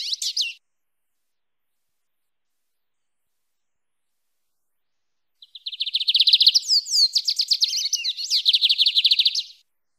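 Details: Canto mateiro song of a lined seedeater: a short burst at the start, a long silence, then four seconds of rapid, high, trilled and buzzy notes repeated in quick succession before stopping abruptly.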